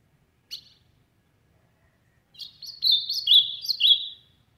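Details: Loud song of an ultramarine grosbeak: a single short sharp note, a pause of nearly two seconds, then a rapid tumbling run of sweet slurred whistles ending on lower falling notes.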